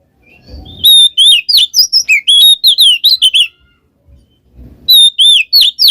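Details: Oriental magpie-robin song of the ngeplong ngekek type, played as a lure for a silent bird: a rapid series of loud, sharp whistles, swooping up and down, a short pause with a low thump, then the whistles start again.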